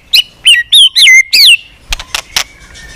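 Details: White-rumped shama giving a many-voiced fighting song, used to provoke other shamas into singing and tail-flicking: five loud, clear whistled notes, some rising then falling, some sliding down, followed by a few sharp clicks and a faint thin whistle.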